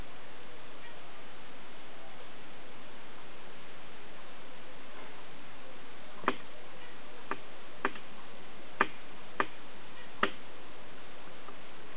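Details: Only a few sharp, irregular clicks and taps over a low background hiss, with no animal voice. The ticking comes in the second half, with no whistled or nasal calls.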